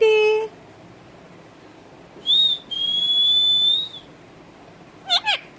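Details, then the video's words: Pet talking parrot making a short nasal tone, a long, level, clear whistle lasting about two seconds, then two quick chirpy notes at the end. "bolane wala tota"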